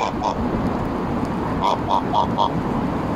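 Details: Embden geese at Longton Park, Stoke on Trent, July 2022, while being petted and fed; a run of four clipped honks about a quarter second apart follows two softer ones, over low continuous rumble.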